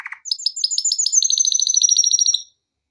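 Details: Male canary singing for training: a short low buzzy note, then a rapid series of high sharp repeated syllables that merge into a fast, even, bright trill lasting about two seconds before stopping.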